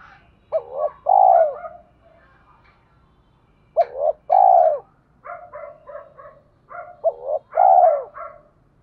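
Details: Spotted dove, rustic cooing used to lure wild doves to fight: three loud phrases of a clipped double note and a long bending coo, interspersed with softer, rapid, higher coos.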